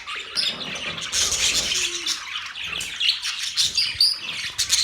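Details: Budgies twitter constantly, a fast jumble of high chirps, buzzy notes and brief whistles rising and falling in loudness.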